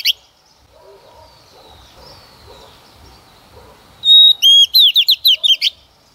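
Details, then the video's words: Female white-rumped shama, a decoy hen singing to stimulate males to sing. A brief note opens, then near-silence with faint background murmur, then a loud burst: a sustained high whistle followed by a quick run of ringing, sweeping notes lasting under two seconds. "Chòe Than Mái mồi hót cực hay kích trống mở mỏ"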